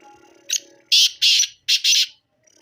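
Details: A black francolin calls in a rasping phrase: one short harsh note, then two long grating notes, a pause, and two more, all very loud over faint background bird chatter.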